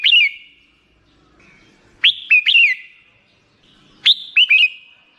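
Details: Black-crested bulbul repeating a crisp phrase of three quick whistled notes, sharply rising then falling, about every two seconds.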